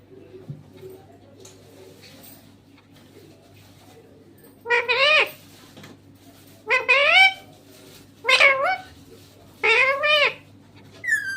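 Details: Talking green parrot: after a quiet start, four wavering, speech-like harmonic utterances come at irregular intervals of roughly one and a half to two seconds, each bending up and down in pitch, over a faint steady low hum.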